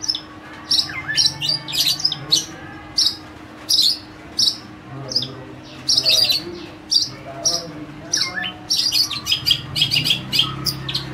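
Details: A captive long-tailed shrike, once very vocal and tame but now singing less from lack of care, pours out a lively, varied song of sharp, high chirps and chattering phrases in quick bursts, with a faint low hum behind it.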